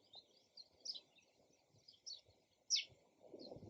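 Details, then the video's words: Soft, distant sparrow chirps, scattered and brief, with one clearer downward chirp late on and a low rumble of background noise. "SOUND OF SPARROW RELAXING CHIRPING SOUND"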